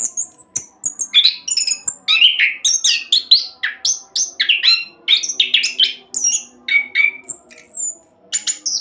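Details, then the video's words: Orange-headed thrush singing at speed as a lure for other birds: a rapid, continuous mix of shrill whistles, buzzy scratchy notes and descending slurs, almost no pauses. "Anis Kembang Roll Cocok buat Pancingan agar cepat bunyi"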